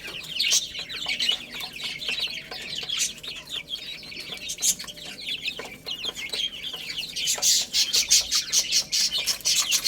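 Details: Chicks playing and eating, a busy flock of high, descending cheeps roughly a hundred per minute, accompanied by repeated sharp pecking taps that become more frequent toward the end.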